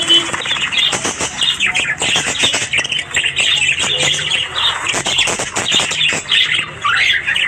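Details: Australian budgies in the morning: loud, dense flock chatter of rapid clicks, buzzy squawks and chirps, with a louder rising whistled phrase near the end.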